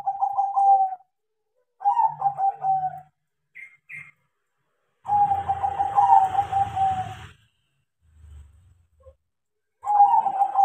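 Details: Crossbred zebra dove, tame and a keen singer thanks to training, repeats rolling, pulsing coo phrases roughly every two seconds; one phrase is overlaid by a brief rustling, hissy noise, with a couple of faint high chirps.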